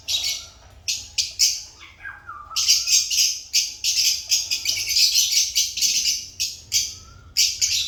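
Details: African lovebirds squawking and chirping in a dense, harsh, high-pitched stream of rapid bursts, with a few lower whistled, sliding notes underneath.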